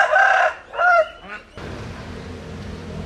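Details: Domestic rooster giving a crow that cuts off partway, with a loud harsh opening and a shorter second phrase, followed by broadband rustling and general noise.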